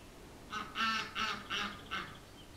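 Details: Visiting runner ducks outdoors give a series of five loud, harsh, nasal quacks in quick succession, each roughly a third of a second apart, over quiet background noise.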